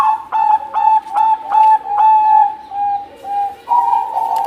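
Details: Zebra dove of the Bangkok type, a champion singer, gives an unbroken run of mellow, evenly pitched coo notes, about two or three each second, with slight breaks and a brighter, louder ending.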